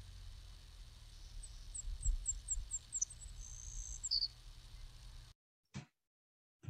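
Savannah Sparrow song: a slow run of high, thin chips on one pitch, then longer, lower, insect-like buzzes, over a low rumbling background.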